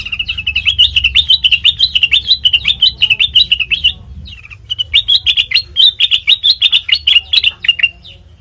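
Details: Melodious song of a sooty-headed bulbul, used as a lure for training birds: rapid bubbly chirping notes repeated in a fast chattering run for about four seconds, then a brief pause and a second similar run, with low background hum.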